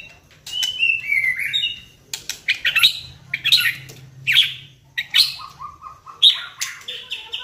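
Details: White-rumped shama, a prized pet songbird, singing as a lure to provoke singing: clear downward-slurred whistles followed by loud, separate harsh chak-like bursts about once a second, with a low steady hum underneath.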